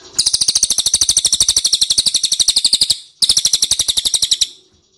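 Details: Ashy tailorbird used as a lure to make other birds answer: a rapid, high, even series of sharp chirps, about two and a half seconds long, then a short pause and a second burst.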